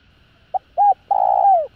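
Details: Spotted dove calling to stimulate other doves to coo: a brief low note, a doubled note, then a long, steady, hollow coo that slides downward at the end. The background is quiet.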